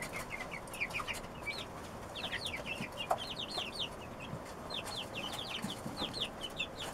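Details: One-month-old chicks feed at dinner with their father. They give rapid, busy high-pitched peeps, many overlapping in quick bursts, with faint low clucks and soft background noise.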